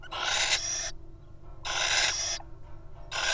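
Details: Little owls in the wild at a nest box give loud, rasping hisses of about a second each, repeated in a steady series with short quiet gaps.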